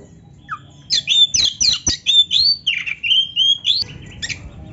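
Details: Vigorous Oriental magpie-robin song, played so that silent birds hear a rival and start singing; a fast run of shrill whistled phrases and harsh, scratchy notes, repeated nearly four times a second for about three seconds.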